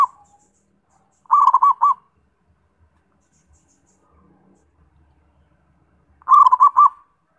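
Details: Perkutut, or zebra dove, singing two rolling phrases about five seconds apart, each a quick burst of looped, cooing notes; quiet pauses with faint low knocks between.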